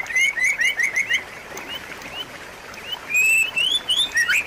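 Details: White-rumped shama producing quick chains of rising whistled notes, a quieter pause, then a renewed rapid whistled phrase, for prompting a caged bird that stopped singing.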